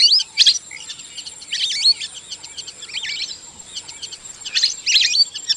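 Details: Lesser whistling duck giving short clusters of shrill, wavering whistles at the start, middle and end, with quieter gaps of faint twitters between, and a constant thin high whine running underneath.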